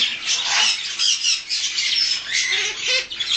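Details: A two-month-old baby harlequin macaw gives a steady run of harsh, hissing, raspy squawks, high and noisy, roughly one every second or so, with no other sounds.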